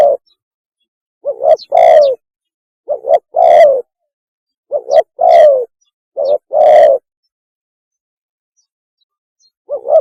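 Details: Mating call of a spotted dove, used to lure birds: four repeated phrases, each a quick two-part coo then a longer, slightly falling, buzzy coo, spaced about 1.5 seconds apart, with another short note at the end.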